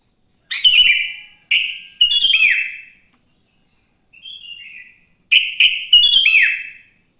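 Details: Sooty-headed bulbul singing in the morning, in the wild, a recording meant to prompt other bulbuls to sing: four loud, bubbly, slurred phrases in quick bursts with a faint softer warble between, against a steady thin high tone.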